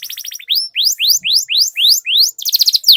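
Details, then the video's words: Canary song used as a master recording to prompt other canaries to sing and roll: a brief chattering run, then a series of clear rising sweeping whistles about every quarter second, ending in a fast stuttered trill. "Suara Pancingan Burung Kenari Agar Cepat Gacor dan Ngerol, Masteran Suara Kenari Ngeroll Panjang"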